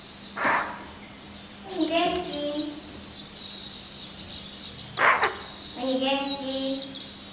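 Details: Pet common hill myna, May 2015, at home trying hard to talk with its owner; two short harsh bursts stand apart from steady, voiced speech-like phrases, with a constant low indoor hum.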